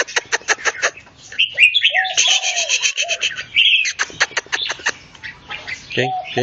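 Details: Red-whiskered bulbul facing off with a rival bird in song: rapid chirps and warbled phrases, with short lower whistled notes repeated between them.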